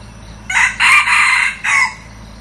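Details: New red junglefowl decoy cock, used for luring wild junglefowl, gives one loud, hoarse crow in four quick bursts, the last one clipped short, lasting about a second and a half with no other sounds.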